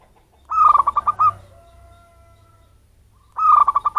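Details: Local wild zebra dove, a bird from its natural habitat rather than captive-bred, calling as a lure for attracting birds: a mid-pitched rippling burst of about seven quick cooing pulses, then a second burst begins three seconds later.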